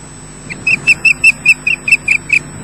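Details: Osprey at its nest at Loch Garten, Scotland, fish-calling: a quick run of about ten clear, high whistled chirps, evenly spaced, with a faint steady hum beneath.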